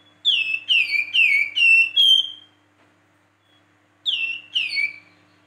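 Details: Flamboyan whistling, 'siulan': five clear downslurred whistles in quick succession, a pause of over a second, then two more of the same falling whistles.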